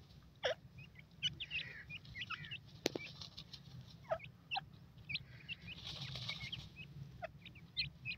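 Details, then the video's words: Grey francolin chicks calling with repeated short, high peeps, some rising and some falling, spread irregularly through the clip, with clicks, handling noise and a steady low hum. "dakhni titur k bachay,bhura tetar chicks"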